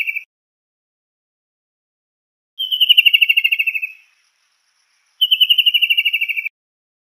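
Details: Kingfisher calling in long rattling trills, each a rapid string of shrill notes sliding gently downward for over a second, repeated about every two and a half seconds against silence.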